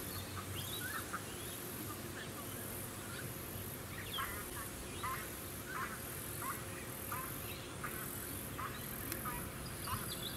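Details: Pacific black duck (Anas superciliosa) recorded in December 2017 on a small artificial lake, Sunshine Coast, Queensland; a run of short, soft nasal notes every second or so, partly masked by wind, distant birdsong and suburban background noise.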